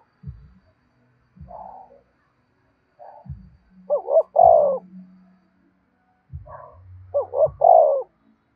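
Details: Spotted dove giving its luring coo: soft lead-in notes build to two short rising notes and a long, rich final coo, heard twice, with low thuds and faint background hum.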